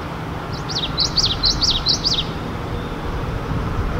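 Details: A male common yellowthroat in Richmond, BC, on 11 May 2018 sings a quick run of about six bright, high, rolling phrases despite steady low traffic rumble behind him.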